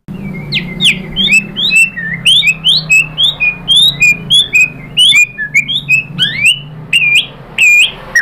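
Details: Energetic white-rumped shama lure song for making other shamas sing: a continuous stream of sharp, high upswept and falling whistled notes, several per second, with quick varied chattering phrases.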